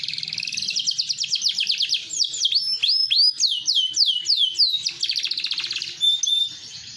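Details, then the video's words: Green AFS big-size canary in full song, rapid rolling trill leading into loud, repeated down-slurred whistles roughly three per second, then a fine buzzy trill and a short high note. "Kenari Afs Bigsize Gacoorr dorr"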